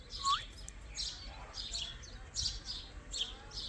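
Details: Baby Indian ringneck parakeet chirping: short, high, scratchy chirps in bursts about every three quarters of a second, with a brief rising whistle near the start and a low background hum.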